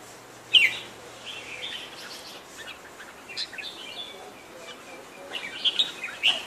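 Sooty-headed bulbul giving a few short, bright chirps, one early and a cluster near the end, over a soft background hiss.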